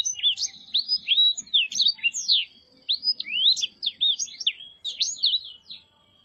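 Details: Black-throated canary (Crithagra atrogularis) song: a fast, sweet run of slurred whistles, rising and falling notes tumbling together in high, bright bursts with brief pauses.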